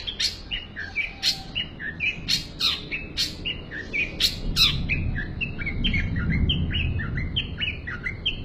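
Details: Long-tailed shrike delivering a full isian song, a rapid, varied medley of short chirps, squeaky notes and sharp high clicks that tumble on without pause, with a low rumbling noise underneath.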